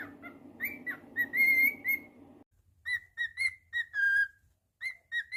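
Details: Lively whistling from a pet cockatiel: swooping and level notes in short bursts; a low rumbling hum fades out partway, leaving the clear whistles alone.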